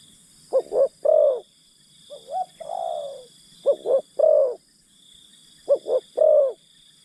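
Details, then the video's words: Low three-note coos from a spotted dove used as a decoy for wild birds, two quick notes and one held, plus a softer wavering descending coo in between; a thin high drone persists throughout. "Pikat Terkukur Aksi denak memujuk burung hutan"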